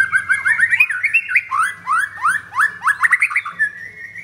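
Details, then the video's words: A ringed, caged white-rumped shama from Jakarta, Indonesia, sings vigorously in 'pastol blorok' style. It gives a fast series of sweeping rising whistles, about three a second, that ends in a level, sustained note. A low hum runs underneath. "Murai Batu Pastol Blorok Extreme Double Ring Apbn Bnr Gacor"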